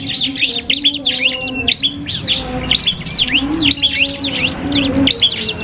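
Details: Cipoh kristal iora trading song with a prinia in a cage-bird training duel: rapid bursts of high, slurred whistles and chirps, short gaps between phrases, steady low hum behind.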